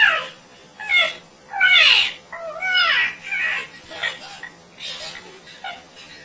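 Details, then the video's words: Parrot making funny noises indoors: a run of about seven harmonic, arching, meow-like squawks, each under a second, spaced irregularly roughly once a second, some sliding down in pitch, with a faint steady hum beneath. "Parrot Making Funny Noise"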